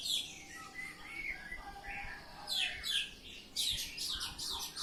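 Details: Oriental magpie-robin singing ngeplong style, starting with varied whistled phrases, then shifting to loud rapid scratchy chirp bursts in the second half.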